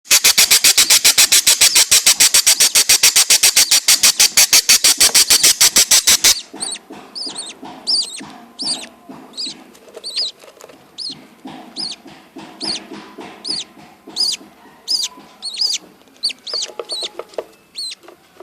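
Budgerigars give sharp, high chirps repeated several times a second after a burst of rapid rattling.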